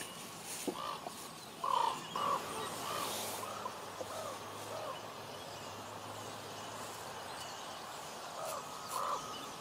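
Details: Common ravens in Juneau, Alaska: a few short croaks early, a low hum in the background, and one more croak near the end.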